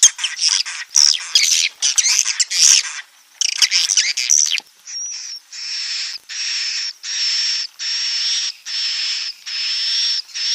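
Swiftlets: a few seconds of busy, high twittering chirps, then a steady run of buzzy, hissing high chirrs repeated roughly every three-quarters of a second.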